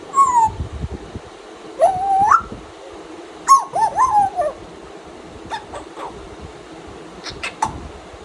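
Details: Tame pet African grey parrot mimicking in its morning routine, giving whining, whistled notes that slide up and down, a few loud phrases then softer clicks and squeaks.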